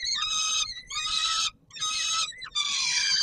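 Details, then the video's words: At feeding time on the Palace of Culture and Science in Warsaw, Poland, 17 July 2022, peregrine falcons give grating, rasping wails, four long harmonic screams with short breaks, one ending in a quick upward squeal. "Sokół wędrowny PKiN Warszawa - Chłopaki wstawać kolacja"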